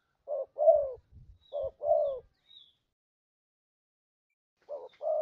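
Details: Spotted dove calling for luring birds: soft, hollow double coos, a brief note followed by a longer descending one, with a few faint low knocks in between.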